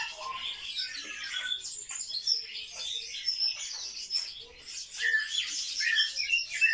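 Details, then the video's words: Kept sparrows, described as very social birds, chirping together in a dense overlapping chorus of short high tweets and twitters that goes on without pause, with louder bursts toward the end. "Воробьи - Sparrow"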